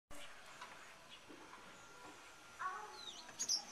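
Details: Two very defensive barn swallows guarding their nest from a person standing close give a few sharp, high chirping alarm notes, mostly near the end, over a steady hiss of background noise.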